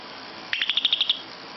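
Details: Lovebird in a bedroom giving a brief rapid trill of about nine high pulses in under a second, evenly spaced and steady in pitch.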